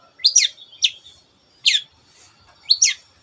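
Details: Long-tailed shrike singing in the 'teot teot' style meant to provoke other birds to sing: four high, rasping down-slurred notes, the first and last doubled, spaced unevenly over three seconds.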